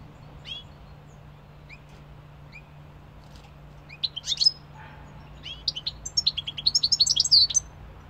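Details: Singing European goldfinch: scattered high chirps at first, then building into rapid, jingling twittering with rolling trilled notes, about four per second, over a faint constant low hum.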